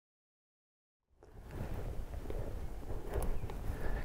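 About a second of silence, then rumbling wind noise heavy in the low range fills the rest, with no animal call standing out.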